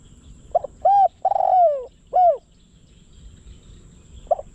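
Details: Spotted dove calling as a decoy bird for luring wild doves: one complete phrase of a soft note, a rounded coo, a long descending coo and an end note, followed by a single short note.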